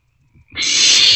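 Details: Barn owl chick in a nest box at night, 27 March 2024, during a shared meal; a single loud drawn-out hissing screech rising in from quiet shuffling.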